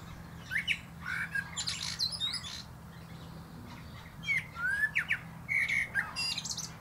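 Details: Singing from the top of a plum tree, a common blackbird delivers mellow, slurred whistled phrases followed by scratchy high-pitched flourishes, in two bouts with a pause between, over faint background hum.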